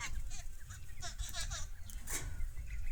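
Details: Mynas fighting in a village, giving harsh, grating squawks and chattering bursts in quick, overlapping runs over a steady low rumble of background noise.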